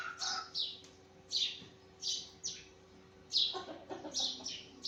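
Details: In the morning, a sparrow gives loud, harsh, downward chirps in uneven clusters, with a few softer twittering notes between them.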